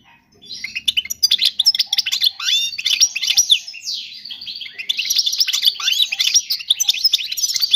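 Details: Continuous European goldfinch song for tutoring fledglings, a fast jumble of liquid twitters, chirps and short buzzy phrases, all high-pitched, running without a break for nearly eight seconds.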